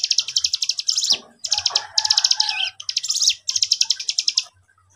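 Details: Young cigun calling as a lure to get other cigun to answer: bursts of rapid, high, ticking chips about a second long, separated by brief gaps, with a faint low hum underneath.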